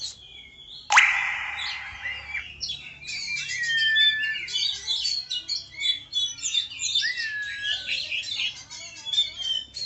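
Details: Tame oriental magpie-robin song: after a sudden loud harsh burst near the start, a dense stream of varied high whistles, trills and quick slurred notes runs on without pause.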